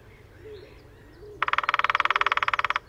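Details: Lesser spotted woodpecker drumming in display early on a sunny morning at Sandemar Reserve, Sweden, a pair on territory, recorded with a parabola: after quiet background birdsong, one rapid even roll of sharp knocks lasting about a second and a half.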